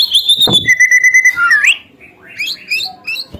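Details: White-rumped shama singing to provoke rival birds: a high sustained whistle, a lower level whistled note sliding upward, then quick chirped notes separated by short gaps.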